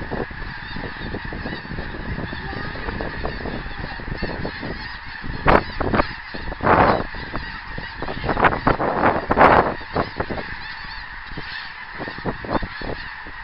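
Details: Geese in flight on 24 January 2010, a steady stream of honking calls that swell into louder bursts of overlapping honks near the middle, above a constant low rumble.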